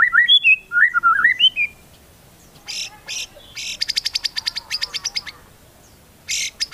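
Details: White-rumped shama song fill used to provoke other shamas into singing: a quick run of looping whistled notes, then rapid buzzy bursts and a fast train of high ticking notes after a pause.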